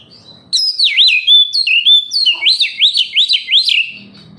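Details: Oriental magpie-robin song as a lure for kept birds: after a quiet start, a continuous, flowing series of looping whistles that rise and fall, repeated about three times a second.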